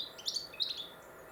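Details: European robin in Warwickshire during winter: two quick bursts of high, twittering, jumbled notes a third of a second apart, then quiet background.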